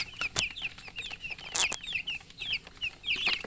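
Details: Chirping of colored chickens: bright, short, high peeps in quick succession from several birds, each a brief falling note, with a few sharp clicks and knocks between them.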